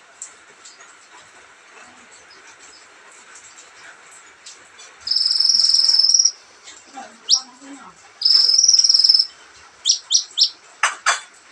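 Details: Mostly quiet start, then an olive-backed sunbird gives two long, dry buzzy trills separated by scattered notes, ending with a quick series of sharp high chips.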